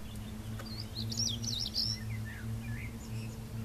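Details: Stonechat vocalizing: a rapid series of short high twittering and scratchy notes over about two seconds, then fainter lower notes, against a steady low mechanical hum and background hiss.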